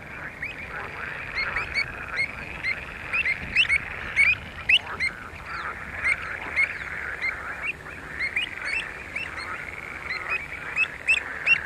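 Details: Short, clear, ringing calls from a pied avocet at Skanör and Falsterbo, Sweden, in June 2015. The notes come in quick bursts, sometimes overlapping, against a steady wash of distant bird noise.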